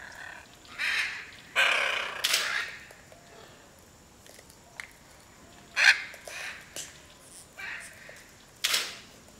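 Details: Hyacinth macaw at Piaui Cerrado Lodge, Brazil, giving six harsh, grating squawks at uneven intervals, some drawn out and some clipped, over a faint background hiss.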